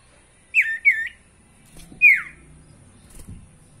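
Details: Sirtu song used as a lure to get caged birds singing: three clear, downslurred whistles near the same pitch, two close together then a third after a pause, with faint low hum and a thin steady high tone.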